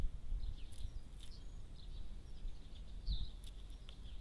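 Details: Great spotted woodpecker, male and female, in Germany: sharp, short clicking notes spaced irregularly, about four in four seconds, over a steady background of small chirping birds and a low rumble.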